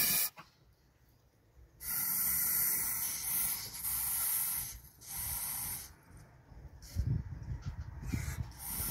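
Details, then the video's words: Goose guarding its nest, letting out a series of harsh hisses of one to two seconds each separated by brief pauses, with low thumps and handling noise near the end. "Χήνα προστατευει τη φωλια της"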